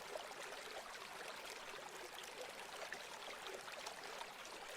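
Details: Even hissing rush like trickling water fills the whole clip, ending in a sudden short bump, with no animal calls.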